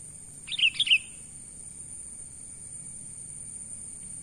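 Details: Sooty-headed bulbul, natural call used to lure wild birds: one quick phrase of three clear, slurred, falling chirps around half a second long, then quiet, over a steady high hiss and faint low rumble.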